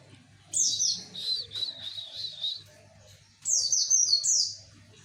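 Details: East Javan white-eye song meant to lure males: two lively high-pitched twittering phrases, the first lasting about two seconds with sweeping notes, the second a shorter burst after a pause, over a faint low hum.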